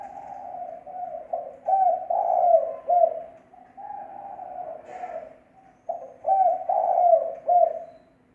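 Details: Spotted dove lure call, clean and free of noise: two phrases of low hollow cooing, each a soft lead-in followed by three or four louder, rounded notes, with a short pause between the phrases.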